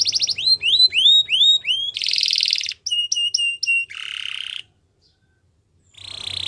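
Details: Canary song meant for training young canaries: a series of rising whistled notes, a buzzy rolling burst, short repeated chopped notes, a lower grating roll, a brief silence, then another buzzy trill.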